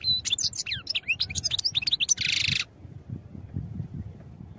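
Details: Song of a European goldfinch, meant for training: a rapid run of high, liquid chirps and slurred twitters, ending in a harsh buzzy note, followed by quiet with low background hum.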